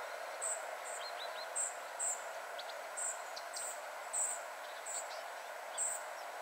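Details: High, squeaky short calls from a spotted flycatcher family at 51.943564, 20.122272, spaced irregularly, mixed with softer lower clicking notes, against continuous background noise.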